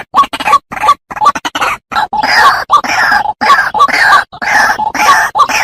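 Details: White-breasted waterhen, recorded as a lure for attracting birds in the wild: harsh, croaking notes repeated rapidly in choppy bursts, separated by abrupt short silences, with a grating, nasal quality throughout.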